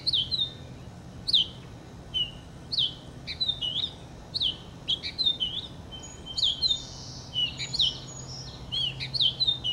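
Purple finch singing a long, rich warble of quick, sweet notes that slur up and down without pause, over a faint low hum.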